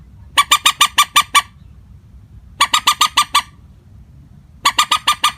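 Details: Common moorhen call used as a trapping lure, delivered without pitch variation: three bursts of about seven harsh, evenly spaced clucking notes each, separated by silent pauses of over a second, over a faint low rumble.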